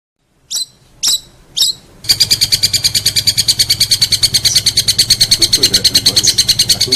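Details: Long-tailed shrike on a tutor recording used to train contest songbirds: three harsh rasping notes, then a fast, even, buzzy high trill of pulsed notes that runs without a break to the end.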